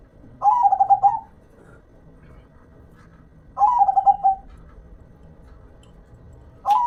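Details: Zebra dove, a local perkutut, repeats its pulsed cooing phrase roughly every three seconds, each phrase opening with a rising note and ending in quick rolling beats, over low background hum.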